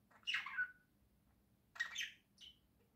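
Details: Pet budgerigars in the morning, two birds indoors: two noisy, scratchy squawking chirps about a second and a half apart, then a fainter short note, over a low background hum.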